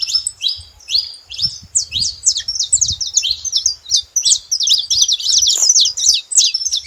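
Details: Noisy saffron finches at a feeder give rapid, high-pitched chirps, close to three per second. Some notes sweep down and others are clipped and bright, packed into a continuous chatter.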